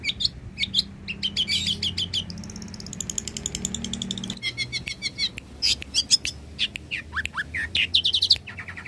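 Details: Long-tailed shrike, a skilled mimic of many bird species, in a lively song used for training other birds: varied rapid high chips, trills and rising whistled notes in bursts, with low humming background noise throughout.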